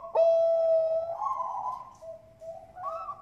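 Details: Farm-bred Bangkok-type zebra dove in Bekasi, West Java, singing as a lure for other doves: a long, pure, steady whistled coo, then softer, wavering trailing notes and a faint rise at the end.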